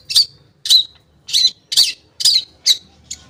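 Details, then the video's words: Long-tailed shrike song used as a lure to make silent shrikes start singing: harsh, scratchy squawking notes given singly about every half second, six bursts with short silent gaps. "Pancingan Cendet Ampuh, Pancingan Cendet Bahan Atau Macet Bunyi, Cendet Macet Akan Ikut Bunyi"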